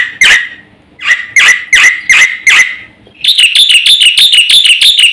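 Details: Black-winged myna in 'gacor' song full of 'isian' fill-ins: five loud harsh downward-sweeping notes about half a second apart, followed by a fast shrill chattering trill.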